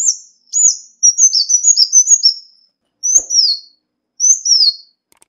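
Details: Ruby-cheeked sunbird lure call, no background noise: high slurred whistles falling in pitch, a rapid twittered sequence, then two separate doubled descending notes.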